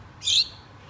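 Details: Pet Gouldian finch, one of a kept pair, calling for its mate: a single brief, bright, high-pitched nasal note, sharp at the start, then quiet room hum.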